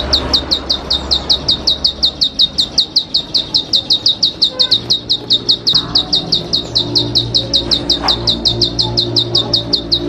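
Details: Bar-winged prinia (ciblek padi) delivering a long, fast, high-pitched trill of sharp repeated notes, close to three per second, steady throughout, with faint low background hum.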